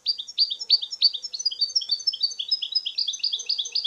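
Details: European goldfinch singing freely in nature: an unbroken, rapid stream of high, liquid, tinkling twitters and chirps, repeated notes rolling together at about three per second.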